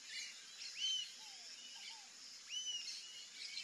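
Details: Rufous-tailed jacamar calling: high, thin whistled notes that slur upward, given singly about two seconds apart, with soft lower descending whistles in between over a steady high insect hum.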